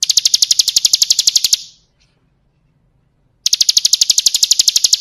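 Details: Bar-winged prinia (ciblek kristal) singing for song training: a fast, high, chattering trill cuts off, silence follows for nearly two seconds, then the same bright, rapid series starts again.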